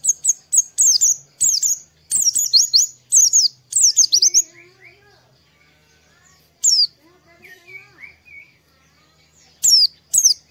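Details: Oriental white-eye song recorded in the morning, used as a lure to get other white-eyes singing. Rapid bursts of high, shrill twittering phrases with sharp descending notes, separated by pauses; faint lower whistled notes sound in the gaps.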